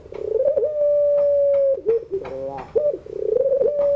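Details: Evening crying-style song of a puter pelung dove, meant for teaching young birds to sing: a throbbing opening coo stretches into a steady drawn-out note held about a second, then drops into short wavering notes and begins again.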